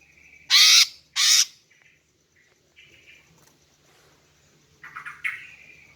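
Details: Female greater green leafbird calling to lure and provoke males into singing: two loud, harsh rasping bursts in quick succession, then faint short whistled notes, and a final buzzy, chattering phrase near the end.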